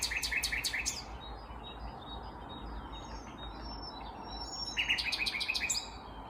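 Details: Singing vagrant Common Nightingale, Kvarnbo, Uppsala, Sweden, morning of May 19, 2021. Two bursts of rapid, evenly repeated clicking notes frame a quieter middle stretch of faint whistles, with steady background hum throughout.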